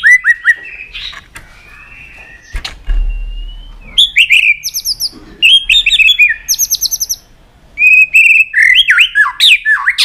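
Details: Excited caged white-rumped shama sings a varied song. Rich whistled phrases alternate with buzzy, rattling trills and sharp clicks. There is a brief thump partway through and a short pause before a fast, swooping whistled finish.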